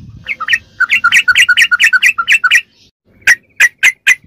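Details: Ropelan song of a sooty-headed bulbul, played to train captive birds: a rapid rattling string of paired, up-and-down chirps, then a pause and four separated sharp notes, with faint low background noise.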